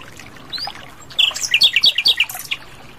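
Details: Asian brown flycatcher singing in the wild: after a faint opening note, a rapid run of sharp, high chirps and short twittering notes fills about a second and a half, then fades, with a soft trickling background.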